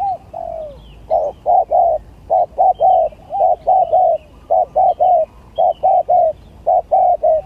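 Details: Competing spotted dove song, gagap tindan versus klantan: after a drawn-out opening coo, a steady string of short mellow coos arrives in pairs and triples, about one per second, with faint distant chirping.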